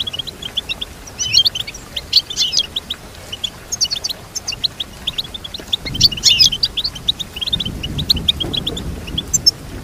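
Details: Goldfinch song made of long runs of fast, liquid, high-pitched twitters and chirps, with denser bursts every couple of seconds and faint low rumbling noise underneath.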